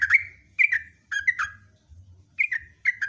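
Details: Loud sooty-headed bulbul song in long runs: short clusters of rich, slurred, chattering notes separated by brief silences, each cluster dropping slightly in pitch, with a low steady hum underneath.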